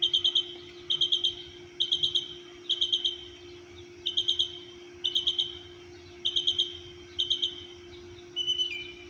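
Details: A songbird at an Orlando, Florida apartment complex at 6:30 am repeats short bursts of three or four sharp, high trilled chirps roughly every second. A constant low hum runs underneath.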